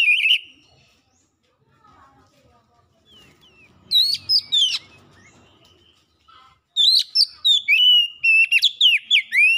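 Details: Kacer, the oriental magpie-robin, singing prolifically in lure-style song: a whistled opening, a quieter stretch with faint murmurs, then rapid bursts of sharp, chirpy, downward-sliding whistles repeated densely toward the end.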